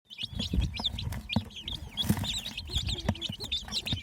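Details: Baby chicks chirping nonstop: high, thin peeps rising and falling in quick succession over low thumps and rustling.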